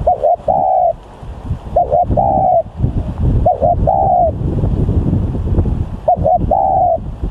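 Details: Spotted dove cooing in phrases of a quick double note then a drawn-out level coo, repeated every two seconds or so over wind noise.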